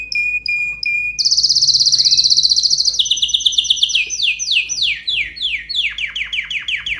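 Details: Excited canary song opening with spaced chirps, then a sustained high rolling trill and a series of rapid descending sweeps repeated about four per second.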